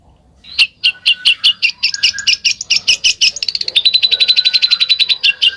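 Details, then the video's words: Besetan bird song: sharp, scratchy chirps that speed up into a rapid, rattling trill of bright notes, with a few thin whistled notes mixed in. "SUARA BURUNG BESETAN"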